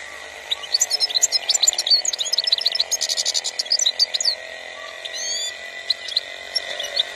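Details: Algerian recording from 2021 of a European goldfinch in sustained song, a dense stream of bright, rapid chirps and twittering notes with brief buzzy trills, over a steady low background hum.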